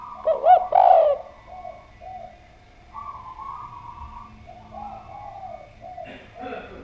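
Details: Spotted dove singing energetically: a loud pair of hollow, rounded coos opens the passage, followed by several seconds of softer drawn-out cooing and a short, scratchy burst near the end.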